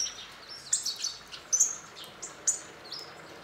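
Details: Hawfinch flock visiting a bird feeder in a back garden in northern Hungary. Sharp, very high ticking notes, some with short slurred tails, come at irregular intervals over a quiet background.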